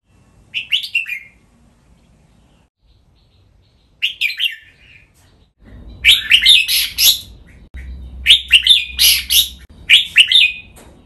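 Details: Red-whiskered bulbul kept as a cage bird, singing 'len rik' training song: two isolated chirpy whistled phrases, then a run of rich, rapid, bubbling phrases repeated about every second.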